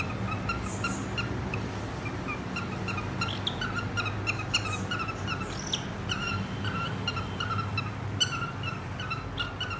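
Cockatiels chatter with short, bright chirps and whistles over a steady low hum.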